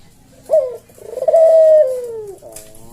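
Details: Cage-kept collared dove, puter jawa, cooing 'kuk deruk' in slow senggang style for tutoring other birds: one short clipped note, then a long level coo that gradually falls away, ending in a soft buzzy tail.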